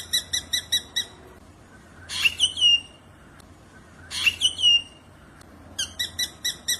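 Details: Wild black drongo: quick runs of bright stacked notes alternating with harsh rising squawks that trail into descending whistled tails, repeated about every two seconds, over a faint low hum.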